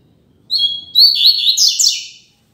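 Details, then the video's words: Double-collared seedeater in strong, loud song. A high, clear whistled note leads into quick, buzzy, tumbling phrases that end abruptly after about two seconds, in a quiet setting. "Coleiro Mack Cantando Firme e Alto!!!"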